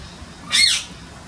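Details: Pale-headed rosella, one of several shy birds returning to visit after a long absence, recorded August 5, 2016: a single loud, harsh, high squawk lasting about a quarter second, with quiet background before and after.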